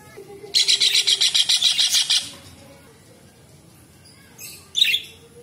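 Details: Kingfisher, known locally as tengkek udang or cekakak, heard as a loud tutor recording for training songbirds. Gives a fast, grating rattle of roughly fifteen notes over one and a half seconds, then one short, sharp squawk.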